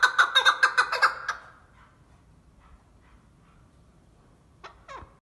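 A chukar gives a quick burst of about seven harsh, clucking chuk notes in just over a second, then falls silent before two brief falling calls.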